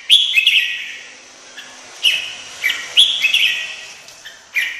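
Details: Red-whiskered bulbul singing: bright whistled phrases that drop in pitch, repeated in short bursts with quiet gaps, notes crisp and fluty.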